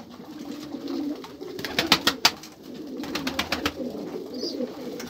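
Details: Low pigeon coos rumble beneath a run of loud sharp clicks or wing claps, first a cluster near the middle, then a second shorter burst, with a faint high chirp near the end.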